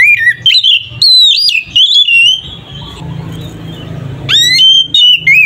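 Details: Oriental magpie-robin (kacer) in full ngeplong fighting song, used to provoke other magpie-robins into emotion: loud pure whistled phrases with rising and falling slurs, bursts separated by a quieter noisy stretch with low hum.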